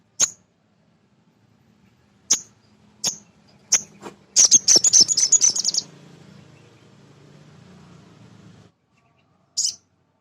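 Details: Male sunbird (sogon) used as a lure to get other birds singing: scattered sharp high chirps, then a fast rattling burst of about a dozen high notes over a low hum, and a final chirp.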